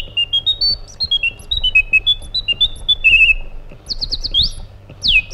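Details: Iraqi bulbul (white-eared bulbul) singing a varied series of clear whistled notes, stepping up and down in pitch, then a short trill and a few quick rising, upslurred notes near the end.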